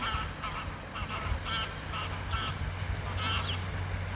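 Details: Greylag geese giving nasal, harmonic honks in short bursts, about eight calls in four seconds, some overlapping, over a steady low rumbling background.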